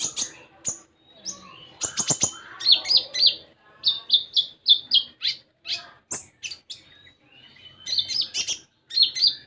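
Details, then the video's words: Common iora singing vigorously as a lure to prompt a young bird to sing. Sharp clicks give way to strings of high, slightly buzzy chirps, about four notes per second, with pauses between phrases. "Konin Bahan Dijamin Langsung Bunyi"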